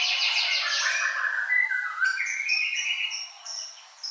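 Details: Ashy drongo song: a run of varied whistled notes, some sliding, others steady and high, ending with thin short whistles that fade out.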